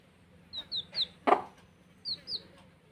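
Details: Baby chicks at play give a few bright, high descending peeps, with one loud knock in the middle and soft background hum.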